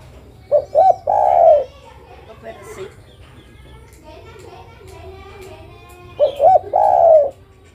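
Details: Female zebra dove (derkuku) calling to a male: two short rising-falling notes, then a long, mellow, slightly trilled coo. The phrase comes twice, about six seconds apart, with faint background sounds in between.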